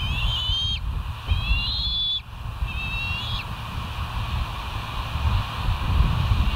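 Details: Bald eagle recorded by a live camera at West End on 09/01/2023, 07:06; three quick series of piping, squeaky whistled notes in the first half, then only low, continuous rumbling background noise.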